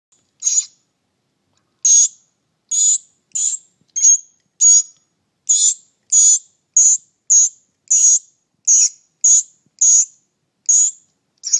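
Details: Mockingbird fledgling eleven days after leaving the nest, hunting and screeching: short, harsh, high screeches repeated at irregular intervals of about half a second to a second and a half, with near silence between.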